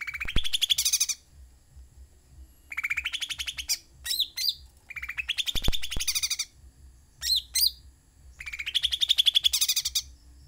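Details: Sooty-headed bulbul singing in full, lively song: bursts of rapid buzzy trills repeated every two to three seconds, each about a second long, with quiet gaps between phrases.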